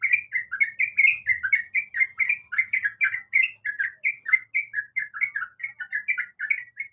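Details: Sooty-headed bulbul female calling for a male, delivering an unbroken series of rapid, chirpy whistled notes at an even pace, with a quiet, clean background.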